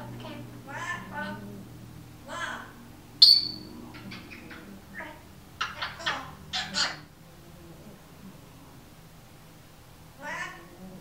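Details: Female Timneh African grey parrot at home producing scattered speech-like phrases and clicks, one sharp high squeak, then a quiet stretch before a final muttered phrase, with a dog's low snoring audible.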